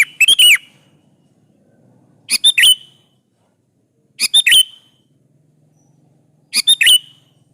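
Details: Sooty-headed bulbul calling rivals in a lure recording; four rapid stuttering chirp phrases roughly every two seconds, each ending in a downslurred whistle, with a faint low hum in the background.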